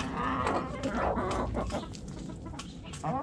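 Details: Chickens in a backyard coop: dense chorus of overlapping clucks and squawks from several hens, fairly loud and continuous, with a low hum.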